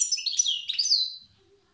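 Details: Old-style song of a wild Tiaret goldfinch: a brief burst of sweet twittering and a bright downslurred whistle, then fading to quiet.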